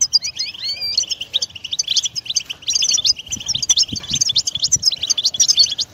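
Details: Goldfinch song played to make a pet bird sing and move about: opens with smooth sliding whistles, then breaks into fast tinkling twitters and chattering trills that continue steadily, over faint low knocks.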